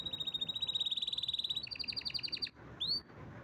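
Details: Canary song: a loud, fast, steady trill of high pulses that steps up in pitch midway, then breaks off into a brief pause and a single rising, whistled slur.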